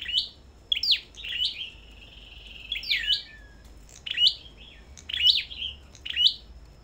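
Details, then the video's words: Sâu đầu đỏ songbirds at a bird farm, singing competitively. High, sharp chirped phrases with rapid up-and-down sweeps come in bursts about once a second, with a longer slurred warble near the middle. "Sâu Đầu Đỏ Hót Đấu Đủ Loại"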